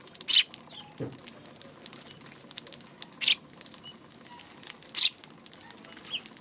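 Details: Eurasian tree sparrow, March 2: three loud, isolated chirps spaced a few seconds apart, with a soft low thump in between and quiet surroundings.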